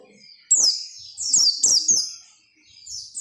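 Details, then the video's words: Energetic peleci song meant to get other white-eyes singing: a shrill cascade of high, downward-slurred chirps, bunched into quick clusters, fading to near silence before a final faint note. "SUARA PELECI GACOR NGOTOT BIKIN PELECI LAIN RAJIN BUNYI BUKA PARUH"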